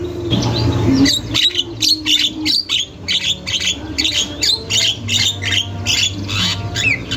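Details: Nonstop song of a Javan myna (jalak kebo) used as training material: dense, scratchy, squawking phrases tumble out almost without pause, about two or three notes a second, with a low background hum.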